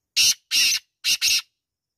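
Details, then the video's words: Black francolin, known as kala teetar, giving four loud, harsh, grating high notes: two evenly spaced, then a short pair in quick succession, then silence. "Black Francolin voice"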